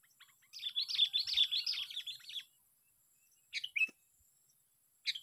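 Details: Sooty-headed bulbul, a trapped bird in a park, gives a fast burst of bubbling, chirpy notes lasting nearly two seconds. After a quiet pause, two short warbled phrases follow.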